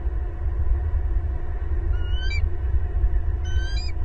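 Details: Bald eagle family chorus at the nest, Southwest Florida pasture, April 18, 2022; two separate bursts of high, piping, slightly descending chirps about one and a half seconds apart over persistent low-frequency rumble.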